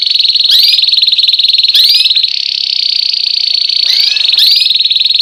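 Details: White Belgian canary singing the classic 'campainha' song for post-moult training: a loud, unbroken high buzzing trill with brief upward-swept whistled notes laid over it.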